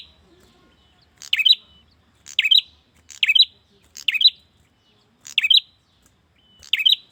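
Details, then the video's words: Male prenjak calls a female with a series of six chirp bursts, each a fast high scratchy twitter with a short buzz, repeated about every second after a quiet start. "Pancingan suara burung prenjak jantan memanggil betina"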